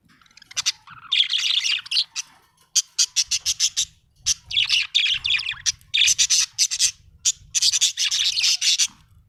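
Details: Happy budgerigar chirping: rapid bursts of harsh, scratchy chatter and squawky notes packed high in pitch, broken by short pauses, with a faint low hum underneath.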